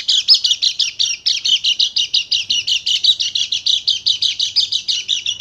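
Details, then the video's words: Bali Dakun white-eye singing full 'nembak' as a lure to stir silent birds: continuous loud, high, scratchy chirps repeated several times a second without pause. "PANCINGAN PLECI MACET BUNYI JADI EMOSI DAN GACOR"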